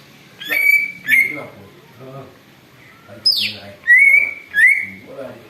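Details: Noisy greater green leafbird, said to imitate an eagle's voice, used as a lure: loud whistled notes near one pitch, each sliding upward then held, with a high downward-sweeping squeal, over soft lower chattering.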